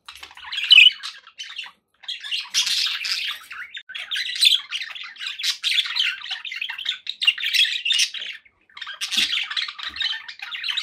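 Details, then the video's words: Pet budgerigars kept for company, chattering indoors with dense scratchy warbles and squawky chirps in bursts of one to two seconds, separated by brief pauses. "budgie sounds"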